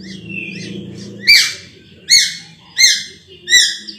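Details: Ruby-throated bulbul singing from Sulawesi birdkeeping circles, with a soft low murmur, then four loud, explosive rich notes with ringing overtones, each about 0.7 seconds apart.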